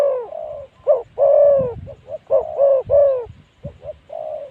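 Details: Spotted Dove calling as a decoy for wild spotted doves at spot 136. Close, rough coos in a busy run of long sustained notes and short clipped ones, with a slight thumping in the background.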